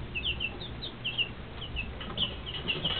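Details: Shrill peeping from two-week-old Rhode Island Red and Shaver Red chicks: clear, high, slightly downslurred chirps, several per second from overlapping birds, against faint low background noise.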